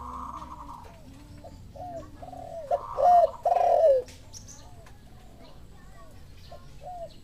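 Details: Spotted dove responding to a lure call: a series of soft, distant falling coos repeated steadily, then a loud close burst of coos, with a faint higher steady tone behind.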